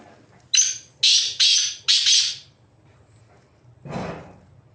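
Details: Black francolin calling while roaming free in the wild: four loud, harsh, scratchy notes delivered quickly in a series, followed after a pause by a softer noisy burst over a faint low hum.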